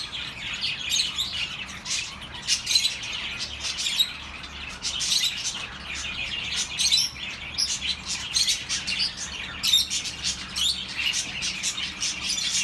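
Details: Chirping of pet birds, offered as relaxing sound for lonely birds: a continuous, dense chorus of quick high tweets and chattering notes, several birds calling at once with brief louder bursts throughout.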